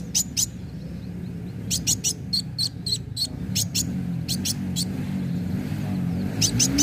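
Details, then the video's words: Lure song of the kolibri wulung sunbird for prompting birds to sing: scattered bursts of sharp high chips in quick pairs and runs, set against steady low droning background noise. "Pancingan kowul gacor narung"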